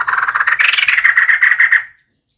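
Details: Female White-crested laughingthrush calling, a recording used as a decoy call: one harsh, rapidly pulsed chattering burst lasting about two seconds, fading out at the end, then silence.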